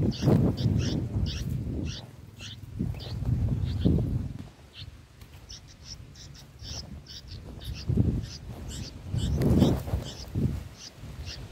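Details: Nestling bulbuls being fed in the nest, said to be eating green lizard eggs: rapid, uneven high squeaky cheeps in quick runs, with loud low thumps and rustling at several points.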